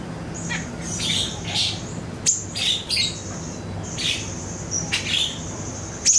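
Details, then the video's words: Lure recording of siri-siri song for training caged songbirds, with bright high chirps, thin piercing whistles and quick two-note phrases close together, over a faint low hum. "PANCINGAN SIRI-SIRI BAHAN DI JAMIN NYAUT"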